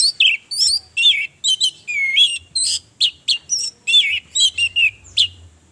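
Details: Lure recording of an orange-headed thrush, meant to provoke rival males into singing through breeding excitement; a lively string of chattering, twisting whistles and rich warbled notes, each burst under half a second, delivered almost continuously over a quiet background.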